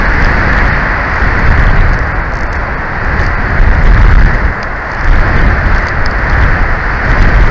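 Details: Loud, steady rushing like heavy rain or wind battering a microphone, surging and dipping throughout with no animal voice.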